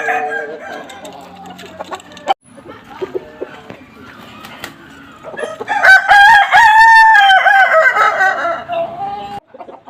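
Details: Kukuak balenggek (Kokok Balenggek) rooster crowing while being sunned: after a stretch of murmuring background noise and soft clucks, a loud, harmonically rich, wavering crow rises and runs for about four seconds before stopping abruptly.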